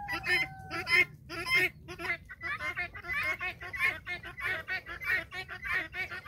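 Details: Flock of domestic guinea fowl trailing after a hen on a farm. Rasping, chattering calls from several birds run almost without pause, overlapping into a dense, rhythmic clamor with a faint steady tone early on.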